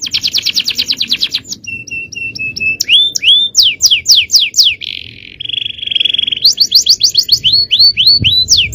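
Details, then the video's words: High-powered 'cengkok' song of a male canary for training other birds: quick descending whistle trills, a row of short level pips, rising hooked notes, a sustained buzzy tone, then renewed fast downward-sweeping phrases. "Aksi Kenari||Cengkok Jawara||Full Power Canary Action||Cengkok Champion"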